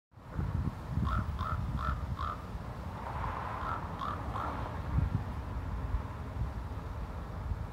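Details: Common raven recorded in January 2018, seeming a little upset, gives harsh, croaking caws in quick runs: four in a row, a short pause, then three more. A heavy low rumble like wind runs throughout.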